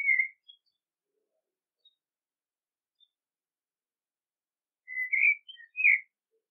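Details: Common blackbird song: one short fluty whistle at the start, a long silence, then a burst of several rich whistled notes with a quick rising flourish near the end; quiet background.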